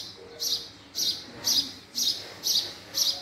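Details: Steady house sparrow call: six short, high chirps spaced about one second apart, each a bright, slightly buzzy chip, with little else audible.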